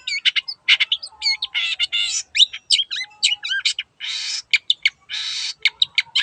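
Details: Energetic long-tailed shrike song, used to coax a silent bird into singing. It is a varied, nonstop medley of harsh buzzy rasps, clipped chirps and quick sliding whistles, with noisy trills at intervals.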